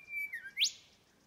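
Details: Male Golden Whistler, Popes Glen Walk near Blackheath in the Blue Mountains, New South Wales: a level high whistle, a short lower slurred note, then a loud rapidly rising whip-crack ending the phrase.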